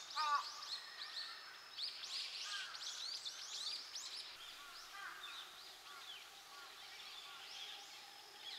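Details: Azure-winged magpies in Inokashira Park, Japan, give a jumble of harsh, rasping and chirping calls, busiest in the first few seconds, then thinning to scattered notes over steady background hiss.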